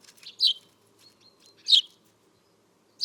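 Eurasian Tree Sparrow giving sharp, bright chirps, three spaced about every second and a half, with a faint thin whistle between; otherwise quiet.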